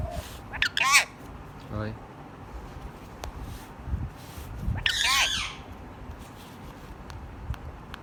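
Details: Pet ringneck parrot talking in Urdu: two short, hoarse, harmonic bursts of voice-like sounds several seconds apart, with a quiet background murmur between them.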